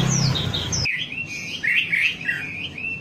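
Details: A wambi, played as a lure recording to get birds singing, sings quick, sweet whistled phrases that slide between high and middle notes, over a low hum that cuts out partway through.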